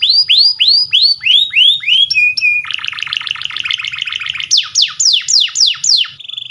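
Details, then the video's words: Canary song for training young birds: a series of bright descending whistled notes, a steady flat tone, a rapid buzzy trill, then more sweeping whistles and a short held note. "Canary Singing _Canary's most powerful song for training"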